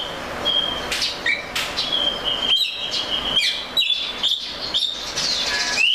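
An Oriental magpie-robin sings a varied run of clear, high whistles, held notes mixed with quick upslurs and a few sharp clicks, over a soft background hiss.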